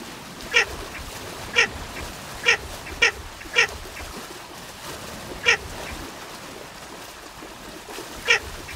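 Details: Seven short, harsh, quack-like notes from a Baer's pochard over nearly nine seconds, five in a loose early series and two more after long pauses, with steady low background noise.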